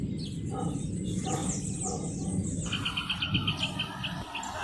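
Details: Rufous hornero delivering a quick string of clear, high, repeated notes in the second half, after a noisy start with scattered chirps and a steady low hum.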